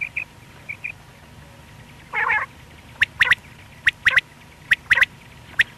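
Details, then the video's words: Male quail calling alone, morning and night hunting: after soft whistles and one rasping nasal squawk, a run of sharp clicky double and triple notes follows, spaced under a second apart. "Batair ki single awaz single male Quil beautiful sounds morning and night hunting بٹیر کی سنگل آواز"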